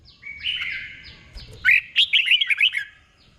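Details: Red-whiskered bulbul, caged, giving a slow and clear 'boen' doubled song for copying: a faint, level whistled trill, then a quick burst of bright, wavering chirps rising and falling before fading out.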